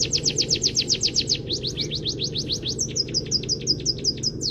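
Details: Emprit kaji munia delivering canary-learned song for songbird training: a quick trill of short downswept notes, then slower rising-falling phrases, then crisp high chips in a rapid series, over constant low droning noise.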